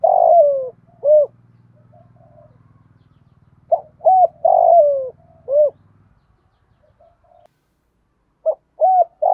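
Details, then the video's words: Spotted dove in thổ pha đồng voice style, challenge and calling coos: repeated phrases of short note, arched coos and a long downward-sliding coo, a low droning hum in the first half, then quiet. "cu gáy giọng thổ pha đồng tiếng thúc đấu và gáy gọi"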